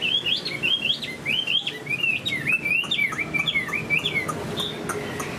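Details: Caged Chinese hwamei, a large, handsome bird in moult, singing high: a continuous run of rich whistled phrases that swoop up and down, with quick slurred notes following each other without pause.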